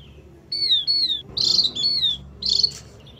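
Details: Javan grey-throated white-eye lure call: high falling whistles alternating with short buzzy chattering bursts in a steady back-and-forth sequence.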